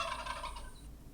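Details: Gobble of a turkey, a quick burst of rattling throaty pulses for under a second that dies away, with a constant low background hum.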